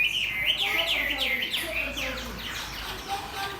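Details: Chinese hwamei matched against a fighting bird, pouring out fast repeated rising-and-falling whistled notes, several per second, with fainter overlapping bird calls behind.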